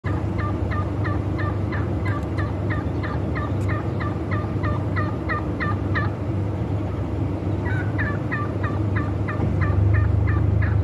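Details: Wild turkey during a breeding display, giving rapid gobbling series of short, clucking notes, about three per second, running through nearly the whole stretch over a steady low rumble.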